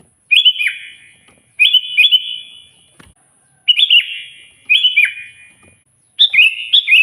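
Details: Sooty-headed bulbul in loud song meant to call a rival, repeating brisk phrases of two or three liquid whistles falling in pitch, five phrases in about seven seconds.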